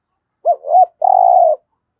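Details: Spotted dove in the thúc gù cooing style gives two rising-falling hollow notes, then a sustained, evenly burred low coo.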